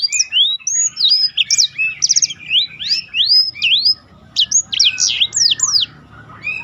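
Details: Black-throated canary song for training competition birds, with rolling phrases: rapid varied whistled slurs, rising and falling sweeps and quick trills, loud and continuous with brief pauses.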